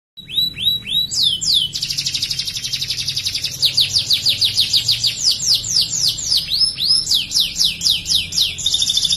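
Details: Canary singing persistently as training song material in a prinia-imitating rapid style; a few rising whistles open into a loud, fast high trill, then a long run of sharp descending sweeps, several per second, without pause.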